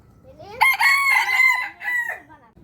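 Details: Rooster crowing in the morning: one loud, harmonically rich cock-a-doodle-doo, a strained rising opening, a long sustained middle and a short separate final note, with faint background noise.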